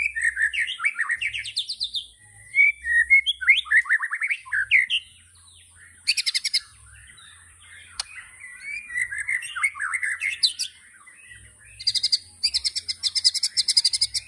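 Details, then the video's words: Loud, fast White-rumped shama singing: tumbling whistled phrases sweeping up and down, broken by bursts of dry, rapid rattling trills, with a short pause between sections and a steady faint background hum. "Tembakan Murai Batu Yang Membuat Kita Tidak Bosan Menontonnya Berkali-kali || WHITE RUMPED SHAMA"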